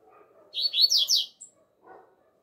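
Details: Double-collared seedeater singing outdoors in the 'alegria tuí tuí zeo zeo' song style, a tutor song for training: one quick phrase of four high, slurred whistled notes, each sweeping downward. Faint low murmuring sits underneath.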